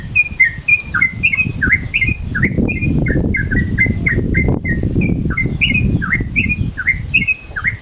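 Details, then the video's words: Yellow-vented Bulbul midday-mode call used as a lure: a steady string of short chirped notes, each with a quick dip, over a continuous low rumbling background. "SUARA TRUCUKAN MODE SIANG, BISA NIH BUAT PANCINGAN"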